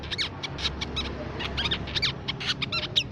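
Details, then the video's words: Lure recording of the Crimson sunbird: an unbroken stream of quick, high, slurred chirps and trills, busy and excited, over low background rumble. "Suara Pikat Burung Sepah Raja & Masteran Sepak Raja"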